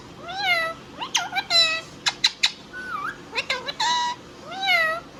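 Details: Pet Indian ringneck parrot talking in nasal, harmonic word-like phrases, with curved rising-falling syllables and clusters of sharp clicks and squeaks between them, in a small room.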